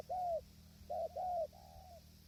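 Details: Spotted dove at a tent hide set for trapping, windy conditions: one drawn-out coo, a pause, then two quick coos and a softer trailing note, low and mellow over background hum.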